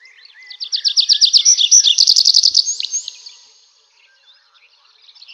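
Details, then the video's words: Nightingale song: a rapid, rhythmic series of sharp repeated notes rising to a loud peak, ending in thin whistles and fading into near silence. "ЗВУК СОЛОВ'Я | Який звук видає соловей"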